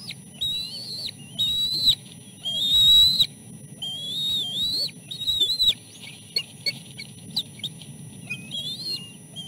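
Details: Three nestling chicks calling during a fish feeding as the oldest, with food stuck in its throat, shakes its head. Loud wavering high whistles in bursts, fading to shorter softer notes later, steady low rumble beneath.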